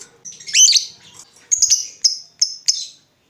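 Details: Vocal lovebird calling as a lure to make other lovebirds answer: a squeaky, twisting chirp, then four short, sharp, high tweets spaced about a third of a second apart. No other sounds are heard.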